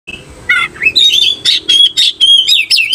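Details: Oriental magpie-robin singing while seeking a fighting opponent: a soft thin whistle, then a run of loud, sharp, chattering bursts, each about a fifth of a second, repeated rapidly with brief gaps.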